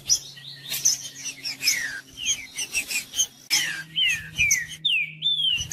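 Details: Green-winged saltator singing, played to warm up a quiet bird: loud, continuous clear whistled notes, many sliding downward, delivered in rapid varied phrases with a steady low hum behind.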